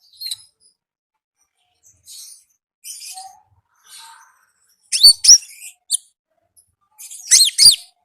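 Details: Konin singing actively in its wild natural setting, a series of short high chirps and twitters spaced apart, ending in loud sharp ticking notes and a dense high twittered phrase.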